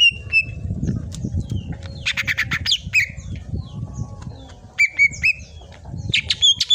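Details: Green leafbird, locally cucak ijo, singing a 'tembakan' tutor song. Scattered whistles lead into clusters of rapid chattering notes and clear rising whistles, separated by short pauses over low background noise.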